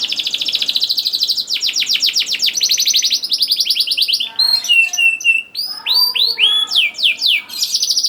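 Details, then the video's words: Young-canary training song from a canary: a long rapid rattling trill, then a series of separate hooked, looping whistled notes. "KENARI GACOR DOR NGEDUR NGOTOT CUIT CUIT NGEROL AMPUH PANCINGAN KENARI PAUD"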